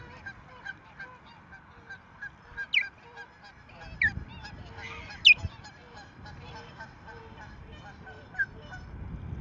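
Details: Nesting ospreys at Rutland, 14 March 2024, unsettled and mantling as an intruding female lands and the resident female flies at her: loud, piercing, upslurred whistled yelps in short bursts, with fainter tonal chatter and light wind behind.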